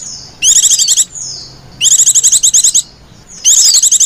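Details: White-eye female calling lenjeh manja to attract white-eyes: faint descending whistles leading into loud bursts of fast, high, buzzy repeated notes, three bursts in about four seconds.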